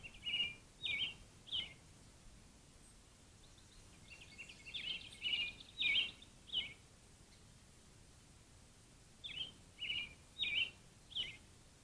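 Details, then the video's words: A Blue jay at a bird bath on April 27, 2023 gives short, harsh calls in runs of three or four, with pauses between runs and fainter chatter in the background. "Blue jay"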